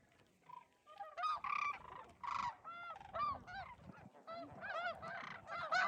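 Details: Hundreds of overwintering Sandhill cranes (Antigone canadensis) at the Whitewater Draw wetland, a high-desert site in Arizona's Sulphur Springs Valley, give overlapping rolling, trumpeting calls, several voices at once in a steady chorus, with light wind underneath.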